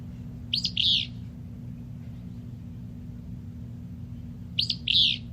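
Willow Flycatcher giving its raspy, buzzy two-part "fitz-bew" song twice, about four seconds apart, over a steady low hum.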